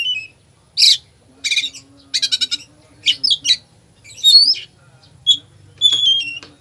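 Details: Oriental magpie-robin in full fill-in song, meant to stir a lethargic magpie-robin into singing: rapid rattling trills, scratchy chatter and sharp bursts, then bright whistled slurs toward the close, over a faint low hum.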